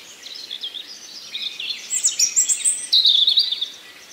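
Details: A common nightingale singing in a forest gives a rich, high phrase of fast chattering notes and quick trills, ending in a bright sustained whistle, over faint outdoor hiss.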